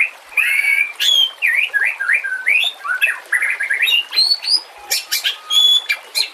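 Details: White-rumped shama song used for training other birds, mixed with nature sounds and trickling water: varied rich whistled phrases and slurred notes in quick succession, with sharp high chips and a continuous watery hiss beneath.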